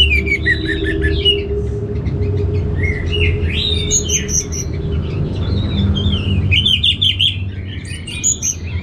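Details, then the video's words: Orange-headed thrush giving a rich, continuous warbled song of slurred whistles that rise and fall, ending in a busier run of quick high notes, over a steady low hum. "ANIS MERAH Langsung Gacor Nyaut"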